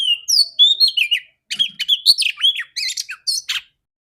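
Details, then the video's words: Oriental magpie-robin female, used to get males singing, gives a run of clear rising and falling whistles followed by a busy burst of sharp chips and slurred notes, ending abruptly. "Terapi burung kacer betina super joss vocal ngeplong kacer jantan"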